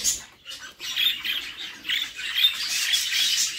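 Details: Budgerigar chicks in a nest box, mother feeding; short raspy squawks and hissing bursts rise in strength, with a few thin squeaky notes near the end.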